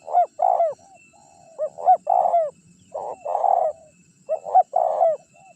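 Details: Spotted dove, a champion caller used to lure wild birds and make rivals respond, repeats hollow cooing phrases: a pair of short rising notes followed by a longer, throaty coo, about four phrases in succession.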